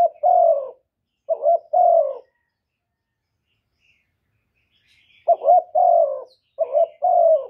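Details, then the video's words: Kept spotted dove used as a decoy, cooing to attract and excite other doves in a clean recording: two deep phrases of a quick stuttered note then a longer hoot, a silent gap of about three seconds, then two more. "CU ĐẤT GÁY GỌI CHIÊU GÙ, thúc kèm kích bổi hay, chim cu đất gù, chim cu gáy mồi cây, tiếng cu cườm"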